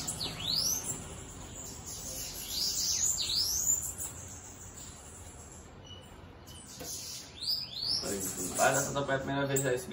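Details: Bananaquit (sibite), loose rather than caged, giving high, thin, arching sibilant notes in quick uneven bursts; people talking near the end.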